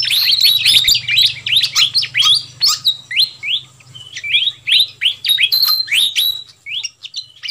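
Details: Fantail flycatcher calls used as a lure for wild birds: an excited run of crowded high chips opens, then spaced sharp rising and falling notes repeat roughly three times a second over a faint low hum.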